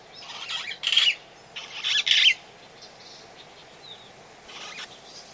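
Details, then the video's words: Calls of a long-tailed glossy starling recorded at Oyster Creek, Coast Road, The Gambia: a series of rasping, grating squawks in uneven bursts, the loudest pair near the middle, softer ones trailing off, with background hiss. "Long-Tailed Glossy Starling. Calls"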